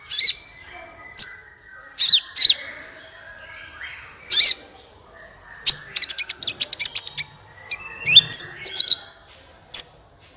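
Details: Sunbird singing loudly as a lure for other birds: sharp high notes and downslurs in irregular bursts, a fast stuttering run of ticks, then a few bright chips.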